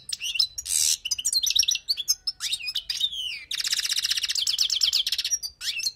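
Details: Wild European goldfinch song used for tutoring: fast liquid twittering with high rising and falling notes, a dense buzzy trill in the middle, then more twitters.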